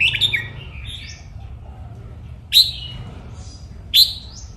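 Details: Red-whiskered bulbul kept as a cage bird, recorded for song training: a quick tumbling warble, then two sharp, bright single notes about a second and a half apart, with a faint hum behind.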